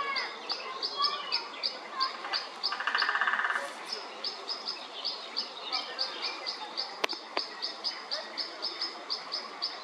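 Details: European pied flycatcher facing off against a white-backed woodpecker on 29 May 2024: short high chips repeated about three per second, interrupted by a brief buzzy burst, with a sharp knock near the end.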